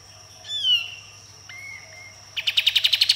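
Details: Sooty-headed bulbul in full song with shot-like bursts and rough notes: a loud downslurred whistle, a short flat whistled tone, then a rapid burst of about ten sharp, even, clipped notes.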